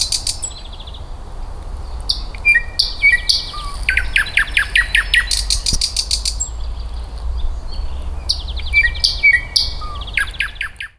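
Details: Nightingale singing in an eco park in May 2024, a varied song of clear whistles, sharp repeated clicking notes and fast rattling phrases, over a steady low rumbling background noise.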